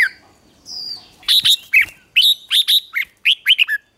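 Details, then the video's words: A red-whiskered bulbul sings during morning training, a drawn-out thin whistle followed by a lively series of chirpy, clipped notes in rapid succession. "Luyện chào mào hót sáng"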